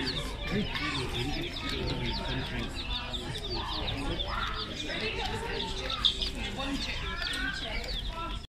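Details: Day-old chicks giving a steady crowd of short high peeps, many birds calling at once, with a low background hum throughout.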